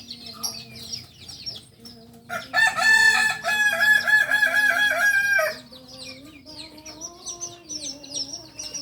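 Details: Kokok Balenggek, a singing chicken breed native to Solok, Indonesia, farm-raised in Solok city. A harsh, harmonic crow lasts about three seconds and steps through many quick pulsing notes. Higher, thin chirps of smaller birds fill the quieter stretches.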